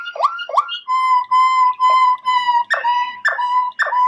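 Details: ['Waterslager canary singing deep bubbling water-like rolls: two quick gurgling notes, then sustained low rattling tones broken by repeated swooping gurgles, clean with no other sounds.']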